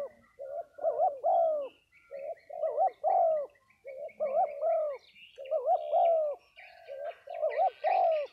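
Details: Spotted doves at a cooing-dove gathering in Dong Thap, Vietnam, giving repeated low two- and three-note coos, each phrase rising then falling, overlapping callers with faint higher bird chirps behind.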